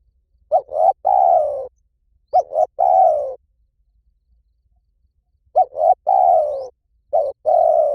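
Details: Lure recording of a spotted dove singing the Liw Tan style, meant to make a dove call back: four phrases of two brief hooting notes and a long falling coo, in pairs with a pause between.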